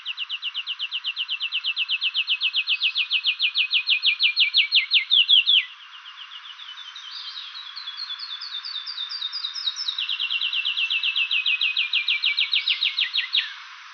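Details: Whistling Warbler, an endangered endemic of St. Vincent's forests, gives its main song: long runs of rapid, clear whistled notes, about six a second, with a softer phrase that climbs in pitch between two louder runs.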